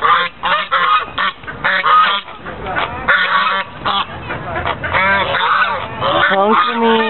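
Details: White geese at Lake Elizabeth in Fremont, California, recorded 24 November 2013; loud harsh honks in rapid overlapping bursts from several birds, with brief pauses between volleys and rising-falling nasal notes near the end.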